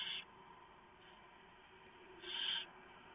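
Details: Barn owls at the nest before dawn, 3:59 AM, 3 November 2015, while owlets are fed a big mouse delivered by the male. A clipped hiss at the start, a long silence, then one loud rasping screech lasting under half a second.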